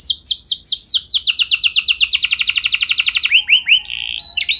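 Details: Canary training song aimed at getting canaries to answer and sing: a long, accelerating trill of steeply falling notes, ending in several lower arched whistles and a sharp high flourish.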